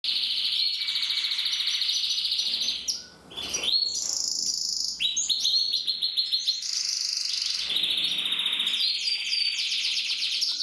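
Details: Canary from a Loisachtal canary breeding singing a continuous, high, rapid song of rolling trills and buzzy tours, with shifts between fast repeated chips and drawn-out sweeping notes, barely pausing throughout.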